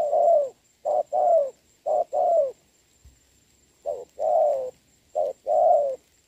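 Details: Rainy-day contest between a decoy spotted dove and a good-cooing wild bird, 26 November 2022; paired husky coos, short then long, repeat with a brief silent gap in the middle.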